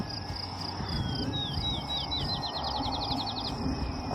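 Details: A Field Sparrow sings from a juniper tree in Nebraska: sweet, down-slurred whistles that speed into a quick trill, like a dropped ping-pong ball bouncing, over a steady high insect buzz and low rumble.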